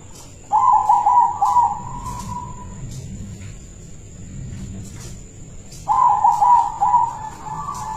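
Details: Caged local zebra dove of silver colour, kept to lure other doves, delivering two loud rolling trilled cooing phrases several seconds apart, each with rapid bubbling notes then a steadier drawn-out ending; faint background hum.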